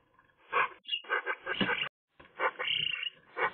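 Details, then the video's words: A Eurasian magpie's varied voicing on a sunny day, recorded by camera: short harsh nasal notes and a grating series, then a brief pause and more hoarse notes with a thin whistle. "magpie nice singing"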